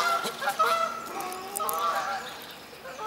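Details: A pair of South African shelducks (Tadorna cana) at Walsrode bird park, Germany, in 2015 give nasal, honking calls in quick overlapping bursts at a mid pitch.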